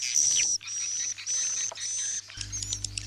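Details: Swiftlet roosting call used to attract birds to stay overnight: several hissing, very high buzzy bursts with a thin whistle on top. It ends in scattered chirps over a louder droning hum.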